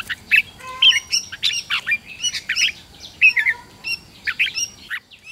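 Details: Red-whiskered bulbul morning song for training wild-caught birds to sing in contests: scattered bright chirps and brief whistled phrases, loose and spaced, over a low background hiss.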